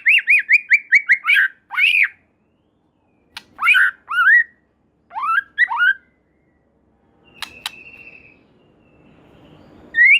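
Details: White-rumped shama in full, energetic song said to prompt other shamas to join in: a rapid string of repeated whistled notes, then separated rich upslurred phrases, with a faint background hiss near the end.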